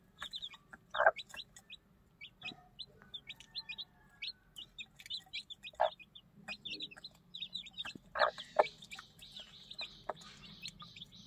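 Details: One-day-old chicks peeping busily with short, high, repeated notes while being fed with their mother hen, who gives occasional louder, lower clucks.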